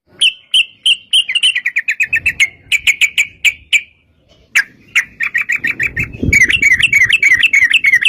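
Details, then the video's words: Yellow-vented bulbul in lively long rapid-fire song, used to prompt other bulbuls to answer: a string of bright bubbly notes, then fast even runs of repeated notes near the end, with some low rustling noise. "trucukan gacor TARUNG ROPEL PANJANG"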